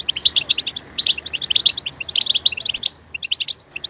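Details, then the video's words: European goldfinch singing loudly: rapid tinkling twitter phrases, about three tight bursts of bright chirps, then a brief pause and a final sparser run. "Stimulating a goldfinch clip to make it chirp in a loud and wonderful voice"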